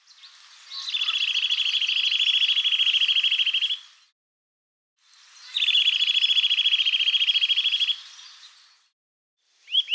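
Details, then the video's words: Eurasian nuthatch singing two long, rapid trills, each a fast even stream of high notes lasting about three seconds, separated by a short pause; a brief rising whistle begins at the end. "KLEIBER 💮Zwitscherportrait💮 kleinfein -- Vogelstimmen"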